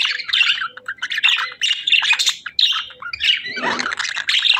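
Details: Budgerigars chirping as they sing and play, quick bursts of bright chirps and buzzy warbles about every half second, with a faint low thump near the end.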